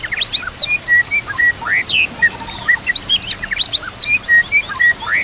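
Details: White-rumped shama singing over nature sounds and running water, a training recording for other shamas: steady run of short bright whistles, some flat, some sharply rising, delivered almost without pause.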